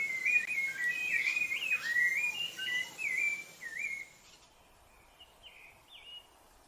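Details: Rufous-bellied thrush in Brazil pouring out a rapid run of warbling, whistled phrases with quick up-and-down slides for about four seconds, followed by softer distant notes and quiet.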